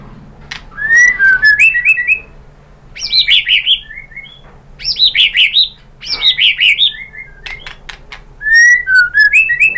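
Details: Loud white-rumped shama song used to provoke rival birds to sing: rich, varied phrases of bright whistles and rapid trills, delivered in bursts of about two seconds with short pauses.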